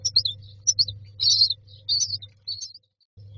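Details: Nest box myna chicks asking to be fed, a few soft high squeaky chirps and two longer raspy wheezes, ending in near silence, over a low steady hum.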